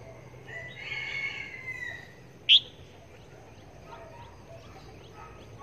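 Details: Decoy red-whiskered bulbul used for trapping, tested where it is hung; a wavering whistled phrase gives way to a sharp loud chip, with faint distant chirps afterwards.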